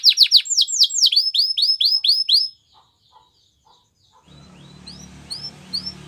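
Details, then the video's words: Gloster canary training song opens with rapid falling and rising whistled notes, then a pause, then a few faint upslurred chirps over soft low background hum. "Gloster Canary Training | Canary Bird Sounds"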